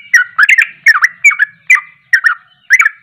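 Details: Sooty-headed bulbul, worked up in 'ropelan' song to challenge other bulbuls: quick cluster of bubbling, slurred double notes, roughly two phrases per second, clean and close.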